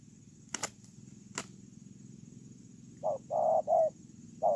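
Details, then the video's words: Spotted dove used as a ground decoy, heard after two sharp clicks: a run of low hollow coos, short then long notes in quick succession, with one more coo starting at the end. "CU GÁY PHƯƠNG QUÝ"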